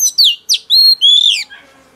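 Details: Female oriental magpie-robin, newly taken from the wild, singing to rouse males: four or five loud, clear whistled notes, some sliding downward and some held level, within two seconds, then fading.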